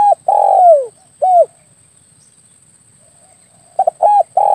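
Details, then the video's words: Lure recording of a spotted dove for hunting doves with an air gun. A long descending coo and a short coo are followed by a pause, then a new phrase of quick paired coos and a sustained note. "SUARA PIKAT BURUNG TEKUKUR/DERKUKU"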